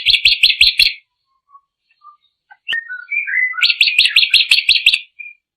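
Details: Drongo singing quick bursts of rolling, slurred notes. Between them are soft whistles and a lower warbled phrase, followed by a longer run of rapid repeated notes and one thin final whistle.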